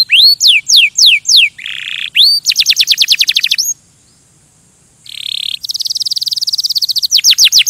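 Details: Canary song in rapid phrases: falling whistled notes, a buzzy burst, quick rattling trills, a brief pause, another buzz, then a long fast trill and descending sweeps.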